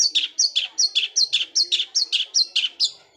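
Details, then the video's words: Long-tailed shrike giving roll speed fighter shots likened to a sewing machine, gereja Kunti style: a rapid, steady run of about fourteen downslurred high chirps in three seconds. "Cendet suara gereja Kunti tembakannya seperti suara mesin jahit roll speed fighter"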